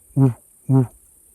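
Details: Sooty Grouse booming on Pine Flat Road, Northern California, audible from a distance while the birder tries to track it: two deep, hollow hoots about half a second apart, low and muffled, over a faint steady high hiss.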